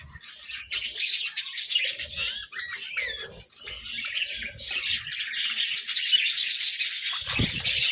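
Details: Pet budgies eat vegetables together, chirping continuously in a busy, buzzy chorus of short warbled and squeaky notes, with occasional low thumps and rustling from feeding.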